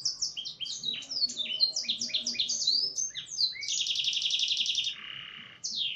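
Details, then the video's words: Canary singing in Blackthroat-filled style: quick high down-slurred whistles give way to a rapid rattling trill, then a lower buzzy trill, and finally a single high whistle. "Kenari isian Blackthroat"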